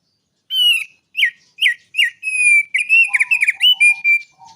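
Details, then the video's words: Bar-winged prinia from the mountains in lively song tutored with straw-headed bulbul phrases. Four evenly spaced falling whistles lead into a sustained whistle and a rapid, tumbling flurry. Low short notes sound underneath. "Prenjak Gunung Asli Gacor Isian Burung Cucak Rowo Suara Aneh"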